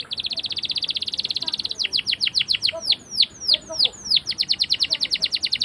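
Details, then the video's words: Canary song meant as a lure for young birds learning to sing: a rapid rattling trill breaks into slower loud downslurred whistles, then speeds back into a fast repeated trill. "PALING D CARI UNTUK PANCINGAN KENARI PAUD BELAJAR BUNYI!!"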